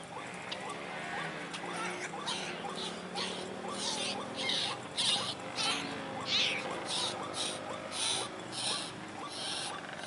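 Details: White-breasted waterhen lure call used for trapping, quick repeated mid-pitched croaking notes, roughly one or two a second, over a hissy background of rustling and faint chirps.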